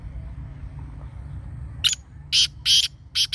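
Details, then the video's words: Black francolin, known locally as kala teetar: after a low background rumble, four loud harsh grating bursts come in quick succession over about one and a half seconds, each a broad rasping note. "Black Partridge Voice | Kala Teetar Voice | Kala Teetar Ki Awaz"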